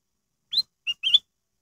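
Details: Single phrase of black-headed bulbul lure song for drawing song from other birds: an upslurred whistle, a short pure note, then a fluttering longer whistle, quickly delivered in a quiet background.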